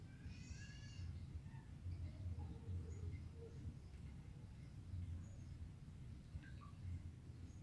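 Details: Feeding olive-headed lorikeet with a short, harsh, buzzy screech near the start. Scattered faint chirps follow over constant low-pitched background rumble.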